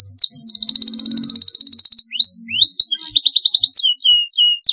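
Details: Canary singing a long rolling song used as a training master: a fast buzzy trill of rapid repeated notes, then rising whistled sweeps and chirps, with a faint low hum underneath.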